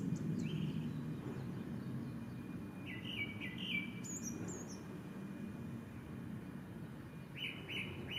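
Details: Male Japanese Thrush at Ōbora spring by Lake Yamanaka, Japan, 3 May 2017: a lone whistle, then a fluty phrase with high thin notes, and another brief phrase near the end, over low background noise.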